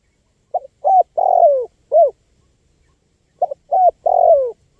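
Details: Lure recording of a spotted dove: a cooing phrase of a clipped double note, a steady coo, a long descending coo and a brief final coo, repeated once after a two-second pause.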